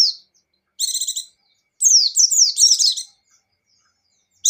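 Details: Pleci Bustomi (buxtoni) white-eye, a caged bird, singing in gacor and ngecir style: brief sharp high whistles, then two fast clusters of shrill, descending, twittering notes separated by short silences, with no other sounds.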